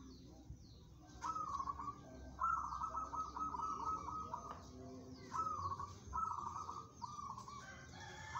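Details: Local zebra dove with steady temperament for competition sings loud, rapidly rippling trills, one long extended phrase followed by shorter bursts, clearly dominating a quiet, low-humming background.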